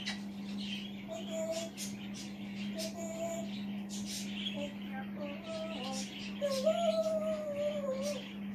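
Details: Male African grey parrot indoors, perched on a chair in the background and talking to himself: soft mumbled speech-like phrases, then a clear wavering whistle near the end, over a steady low electrical hum.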